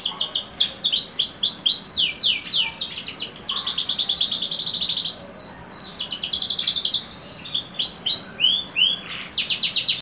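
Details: Canary of YS x SF lineage in sustained varied song, alternating dense rapid trills with sharp falling whistled slurs and chopped repeated phrases, loud and continuous throughout.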